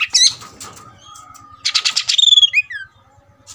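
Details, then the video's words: Oriental magpie-robin (kacer) in an aggressive fighting display, agitated and restless: sharp high chirps, then a harsh buzzy rattle breaking into loud, clear whistles that slide downward, with a faint flutter of wings. "Kacer "EDAN" tarung tak mau diam"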